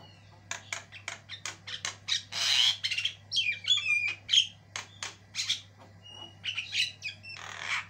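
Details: Javan myna, white-eyed form, singing very actively in a tutor recording with varied, long-running song: dense bursts of harsh buzzy squawks broken by short bright whistles, with a steady low hum underneath.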